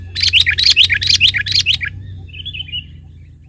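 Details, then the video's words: Sooty-headed bulbul in the mountains, used as a lure: a quick burst of about seven loud chattering, warbled notes, followed by a softer distant twittering phrase, over a low steady hum. "mikat burung KUTILANG di pegunungan super GACOR"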